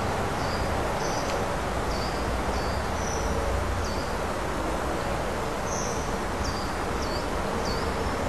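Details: Common kingfisher at a breeding bank, 19 August 2011; a series of thin, shrill, high whistles, each short and dropping slightly, repeated about every second over a steady rushing background of wind or water.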